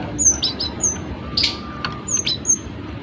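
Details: Singing cinereous tit, a training recording meant to get other birds singing: a string of thin, high, piercing whistles, some downslurred, spaced irregularly about every half second, over faint background hiss.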